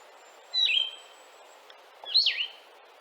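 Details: Blue-headed vireo song: two separate slurred whistled phrases about one and a half seconds apart, the second a sharper down-up swoop, with steady low hiss in the background.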